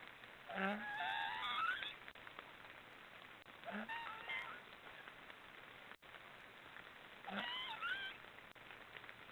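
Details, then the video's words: Snoring of black storks heard as three short bursts about three seconds apart, each a low nasal onset sliding into squeaky, rising, wavering notes. "Black storks are snoring"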